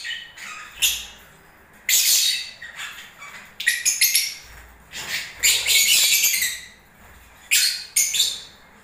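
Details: Lovebirds singing during breeding season, heard as bursts of high, harsh chirps and squeaky chatter separated by short pauses, some phrases longer and denser than others.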